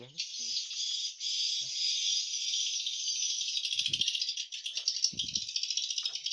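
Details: Swiftlets inside a swiftlet house, in the room used for hatching, where nests are rarely harvested: a dense, continuous high rattling chatter from many birds fills the room, with a few soft low thumps and knocks.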